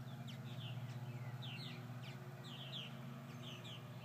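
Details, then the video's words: Purple martins after a series of hawk attacks, uttering rapid short slurred chirps in loose clusters against a continuous low mechanical hum. "Purple Martins after several hawk attacks"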